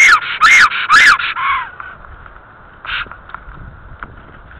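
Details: Female black stork at her nest in Estonia, 5 April 2014, 9:52, calling longingly: a quick run of five loud, hoarse, whistled notes, each rising then falling, then one fainter note; otherwise quiet outdoor background.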